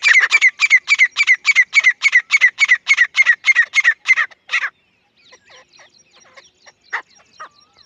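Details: A desi grey francolin delivers a fast, steady series of about eighteen sharp, shrill squawking notes, evenly spaced at roughly four per second. The notes then stop, leaving faint, scattered softer chirps.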